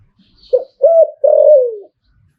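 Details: One 'Liu Tan' style phrase from a zebra dove: a short clipped note, a hooked coo, then a long, loud, purring coo that gently falls in pitch; otherwise quiet.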